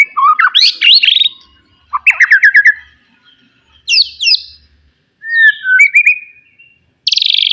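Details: Wild forest white-rumped shama singing loudly to provoke rivals: bursts of rich whistled and slurred phrases, some rising and falling sweeps, separated by short pauses, ending in a harsh buzzy note.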